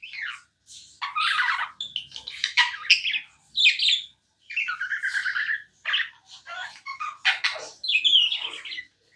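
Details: Non-stop chirping from a tamed pet budgerigar, harsh scratchy chirps alternating with warbled whistles and short squawky notes, delivered in choppy phrases separated by brief silences.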